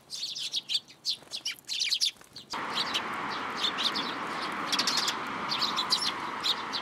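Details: Sparrows flying in to a plum tree at a Tenmangu shrine to be fed, June 17, 2022: many short high chirps and tweets, busy at first, then continuing over a steady broad background hiss.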